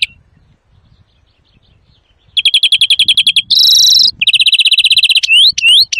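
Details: Greenfinch song for trapping and teaching young birds: after quiet, rapid rolling trills, a harsher buzzy section, another even trill, then rising whistled notes closing the phrase.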